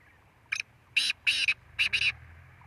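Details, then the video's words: Black francolin (kala teetar) calling: a clipped series of harsh, grating notes, one short note then two grouped pairs of rasping bursts within about two seconds, fairly close and clear over a quiet background. "kala teetar ki awaz"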